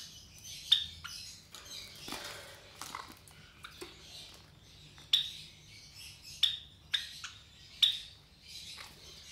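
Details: Three Java sparrow chicks about 23 days old, offspring of white Java sparrows, give short, high, thin cheeps, four or five spaced a second or more apart, with soft rustling and scratching between them.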